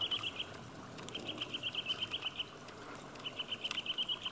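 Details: Eurasian nuthatch giving its spring call: three quick runs of clear, high piping notes, each about ten notes long and evenly paced, over a soft background hiss.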